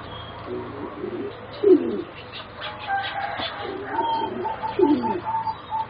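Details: Competition-line singing zebra doves, four juveniles around 3.5 to 4 months old, utter low gurgling coos with sharp accented notes and a run of clipped higher notes near the end.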